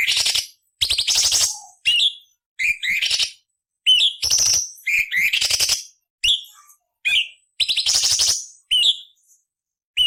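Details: ['Rough rasping bursts interleaved with brief whistled notes from a cucak cungkok, repeated in a steady rhythm; a training master with harsh variations for murai, cucak ijo and kacer.']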